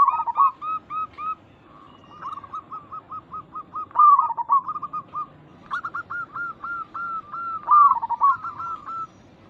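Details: Local zebra doves used as a lure to make other zebra doves answer: rapid series of short hooked cooing notes in steady mid-pitched runs, with louder rolling phrases near four and eight seconds; a second bird answers slightly higher.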